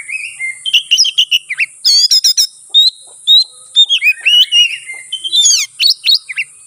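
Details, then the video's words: Fighting song of an oriental magpie-robin used to provoke rivals: clear whistles, a burst of rapid stacked trilled notes, then rising and falling slurred phrases over a steady high hiss. "burung kacer NGEPLONG tarung KONSLET ful isian ini AMPUH buat PANCINGN lawan ikut konslet"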